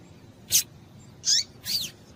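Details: Double-collared seedeater female call for stimulating male song: three rapid, thin, high chirps within two seconds, the later two slurring downward, over soft low background noise.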